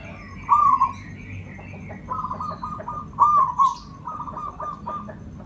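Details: Local zebra dove from Java, song kept for luring other birds: two clear rolling, gurgling coo phrases, each followed by quick stuttered notes, with faint background rumble and scattered ticks.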